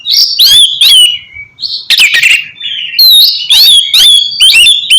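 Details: Oriental magpie-robin song played to encourage a caged bird to sing: varied loud whistles, slurred and rising, broken by buzzy harsh notes, delivered in a steady rapid stream.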